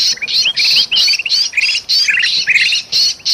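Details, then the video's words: Bulbuls scolding noisily, one trapped, from Sumatran forest for luring birds: rasping bursts with twittering chirps, repeated about three times a second, loud and close. "suara kutilang emas ribut sama kutilang kejepit"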